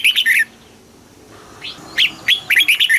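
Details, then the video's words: Red-whiskered bulbul from Thailand in southern master-song style, played to excite caged birds and teach young ones: a quick burst of bright, bubbly chirping notes, a short pause, then rapid warbled phrases resuming. "เสียงนกกรงหัวจุก สำหรับต่อ หรือ เปิดให้นกคึก เสียงเพราะๆ"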